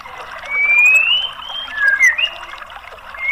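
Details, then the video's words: White-rumped shama whistles, used as a lure to get a bird that has stopped singing to answer: long, clear whistled notes that slide smoothly upward, then dip and rise again, over a steady background hiss. "PANCINGAN MURAI BATU MACET BUNYI"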